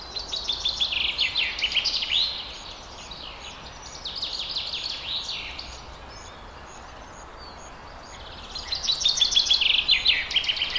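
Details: Hungry wild nightingale chicks begging: bursts of high, rapid, scratchy chirps repeated several times a second, loud at the start, fading in the middle, then swelling again near the end, over a steady background hiss.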